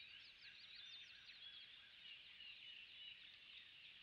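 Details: Male osprey arriving at sunrise at the nest beside a salt marsh on Skidaway Island, Savannah, Georgia, 5 March 2018, joining his partner: rapid, high, whistled chirps tumbling into a softer run; faint, somewhat distant.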